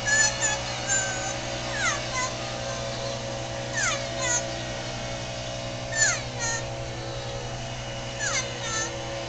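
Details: Pet parrot singing along with leaf blowers in a residential neighborhood; repeated sharp falling whistles roughly every two seconds over a constant droning engine hum.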